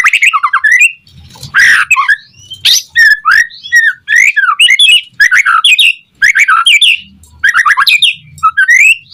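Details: White-rumped shama singing loudly to provoke other shamas: dense bursts of harsh squawky notes, slurred whistles and rapid chattering phrases, nearly continuous with short pauses, a faint low rumble beneath.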